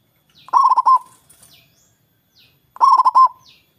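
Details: A steadily singing local zebra dove with a large voice, used to get rivals calling too: two stuttering, rolling coo phrases about two seconds apart, with faint high chirps of another bird in the background.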